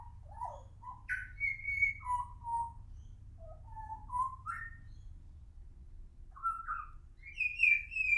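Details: Juvenile pied butcherbird singing a slow, halting series of clear whistled notes, some sliding up or down, spaced irregularly over a low background rumble.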